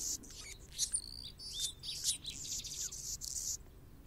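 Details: Anna's hummingbird (Calypte anna) singing on a branch: a dry, scratchy string of very high buzzes, squeaks and chips for about three and a half seconds, over faint background hiss.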